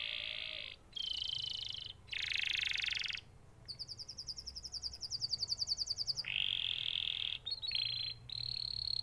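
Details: Canary song of varied phrases: buzzy trills, a loud harsh burst, very high rapid looping notes, then smooth bright whistled trills broken by short gaps.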